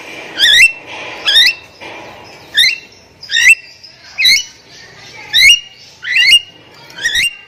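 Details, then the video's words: Javan myna song meant to coax quiet mynas into singing: repeated loud, steeply rising squeaky whistles with a wavering twist, given roughly every second in a steady series. "SUARA ASLI JALAK KEBO SUPER GACOR || Pancing Pakai Sound Ini untuk Jalak Diam"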